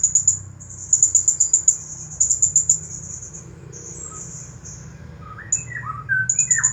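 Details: Champion Blue-crowned hanging parrot in the 'nagih hutang' style, delivering long runs of rapid, very high, pulsing chirps almost nonstop, later broken by short sharp notes, while lower whistled slurs sound underneath.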